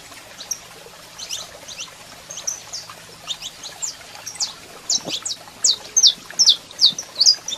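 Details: Male saffron finch singing with a female calling: soft scattered high notes build into a clear, evenly spaced series of loud, sharp downslurred chirps in the final three seconds.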